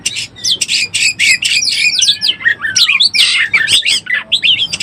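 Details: Lure call of Oriental magpie-robin, meant to excite birds in breeding condition: busy stream of buzzy bursts, downward-slurred whistles and sharp chirps, mostly high-pitched, rhythmically repeated with brief gaps over several seconds.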